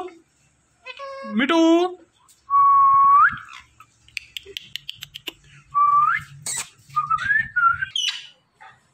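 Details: A talking Indian ringneck parakeet repeats "Mitthu", "Mitthu mia" and "Kasim" and imitates a meow in a nasal, speech-like voice, mixing word sounds with clear rising whistles and quick clicks over a faint low hum.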